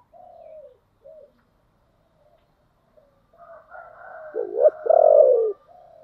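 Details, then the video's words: Spotted dove used as a decoy, calling to lure wild doves, with a deep "giọng thổ" voice. Faint soft coos come first, then after a pause a louder low, throaty coo phrase with a sharp dip and a drawn-out falling note. "cu gáy giọng thổ đặc/ tieng cu gay kich boi nhanh noi"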